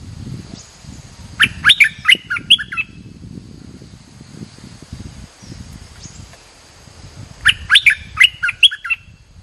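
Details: Lure call of a bulbul for attracting birds: two bursts of five or six sharp, bubbly, clipped notes, each burst lasting about a second and separated by roughly five seconds of quiet with low rumbling.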